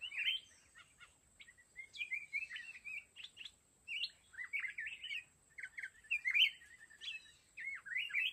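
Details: Red-whiskered bulbul (mountain chào mào), caged decoy in a fighting trap, sings bursts of short, liquid, warbled phrases that rise and fall, with brief pauses between groups and a faint steady high whine throughout.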